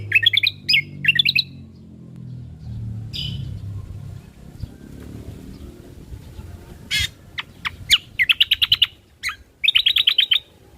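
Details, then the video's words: Ruby-throated bulbul, original recorded voice used as lure and song-training audio for caged birds: bursts of rapid sharp chirps with trilled runs, separated by quieter stretches of low rumbling background noise. "Pancingan Burung Dengan Suara Asli Burung Cucak Kombo"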